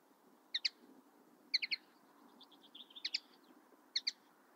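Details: Common linnet with paired chips that run into a short, quicker series of light twittering notes, then another doubled chip; gentle background hum.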